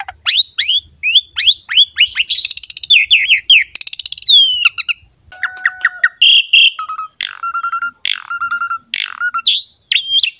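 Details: Energetic Asian pied starling masteran song for coaxing young or wild-caught birds to sing: quick downslurred whistles, fast buzzy trills, then steady pure whistled tones broken into short repeated notes, with scattered sharp chips.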